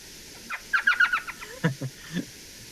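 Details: An elf owl, found at dusk in spots like Sabino Canyon in Tucson, southeast Arizona, gives a quick run of about six high, yelping notes in under half a second, like a little laugh. Lower, muffled voice-like sounds follow.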